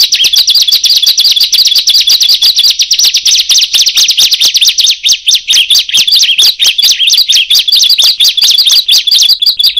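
Bar-winged prinia song: a loud, unbroken stream of sharp, high chirps, several each second, harsh and insistent throughout with no pauses.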